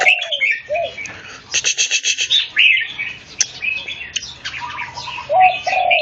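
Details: Red-whiskered bulbul matched against another bird, its song made of brisk, buzzy chatter, quick rising chirps and short low whistles that dip down, with several birds singing over one another.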